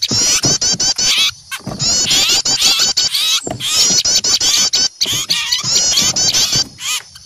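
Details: Small birds calling in alarm, frightened at the sight of an owl: dense, high, rapid chattering bursts of wavy notes, broken by short pauses roughly every second, with many birds calling together.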